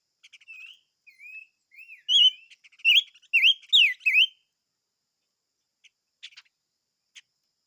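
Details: Singing chim ngũ sắc. Quiet slurred whistles build into a loud phrase of four or five ringing, wavering whistles. Then a few faint chips trail off.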